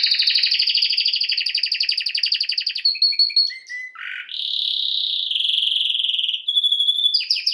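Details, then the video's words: Training song of a canary, Serinus canaria: a long fast rattling trill, a few short descending notes, then smooth rolling buzzy tours and a thin whistled line ending in quick rising chirps. "Bird song | Canary singing| training bird | best canary | Serinus canaria"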